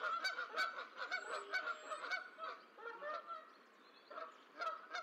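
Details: Honking from geese in the Decorah eagle nest while the final gosling hatches, 14 April 2024. Loud, harsh honks come in quick irregular bursts, with a brief quieter lull before the calling resumes.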